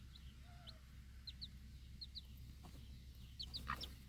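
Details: Backyard mother hen with her four baby chicks at feeding time outside, staying alert to protect them; short high downslurred peeps from the chicks scattered through the clip, with one faint low hen note early on.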